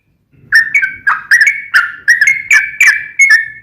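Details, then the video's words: Sooty-headed bulbul (trucukan) in lively gacor song, played as a lure to make another bulbul answer: after a short silence, about ten short, loud whistled notes bend between two pitches at a quick uneven pace. "KICAU SUARA trucukan gacor ROPEL PANJANG pancingan trucukan agar bunyi"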